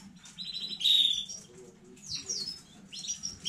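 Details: Home-bred young-stock canary, 15 May 2019, delivering a bright burst of high chirps followed by sweeping downward whistles and sharp tweets against a quiet, low-humming room.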